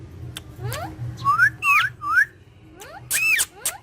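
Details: Green talking parrots playing together: clear rising whistled notes, several in a row near the middle, mixed with sharp clicks and a burst of noisy squawking near the end.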